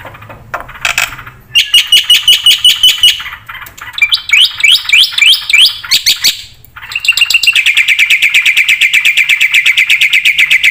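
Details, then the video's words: Energetic black-winged myna song full of varied phrases, meant to tutor and draw replies from other birds: bright metallic chatter, a run of rising whistles, then a long rapid steady trill of high notes. "pakai suara burung jalak putih gacor full isian buat pancingan dan masteran pasti nyaut"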